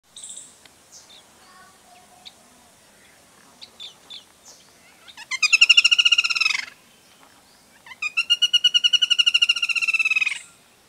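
Black-rumped flameback giving two loud, harsh rattling series of fast repeated notes, each lasting one to two seconds, after some faint chirps from other small birds.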